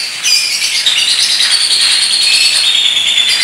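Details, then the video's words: Lovebird giving a long, unusual trilling song: a dense, continuous high chatter of rapid buzzy and squeaky notes with a few drawn-out whistled strands, loud and unbroken throughout. "LOVEBIRD PASKUN NGEKEK PANJANG GAYA UNIK"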